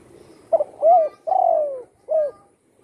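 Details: Spotted dove recovering at home after a wing was broken by a gunshot; a single phrase of a quick clipped note, a hollow coo, a long smoothly falling coo and a short rounded ending coo, in a quiet room.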